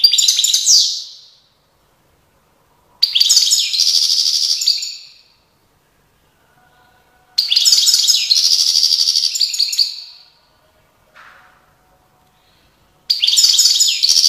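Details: European goldfinch song, recorded in Tiaret in 2019: bursts of about two seconds of rapid liquid twittering and tinkling trills, high-pitched and bright, separated by short silences.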